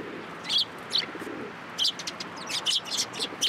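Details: Sparrows perched on a hand to be fed at a Tenmangu shrine, 13 April 2023; loud, emphatic high chirps in quick succession, crowding together toward the end, with a faint coo early on.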